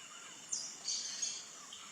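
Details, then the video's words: Sayaca tanager, free in the wild and recorded live, giving thin, high, squeaky twittering notes in two short bursts about half a second apart, over a faint background hiss. "Sanhaçu Cinzento Canto lindo canto do sanhaçu cinzento"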